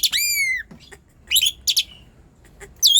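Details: Asian pied starling singing persistently, played as a lure to stir sluggish, quiet starlings into song: a long harmonic whistle gliding down, then sharp broadband chattering bursts and a rising rich whistle at the end.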